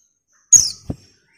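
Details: A single shrill call from a female white-eye summoning a male: one very high note that falls away in a brief trailing slur, followed by a soft low thump.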